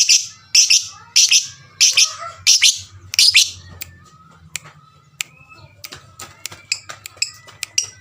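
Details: Lovebird calls used to set other lovebirds calling: a burst of six loud, piercing chirps in quick succession, then scattered thin chirps and clicks over a low steady hum.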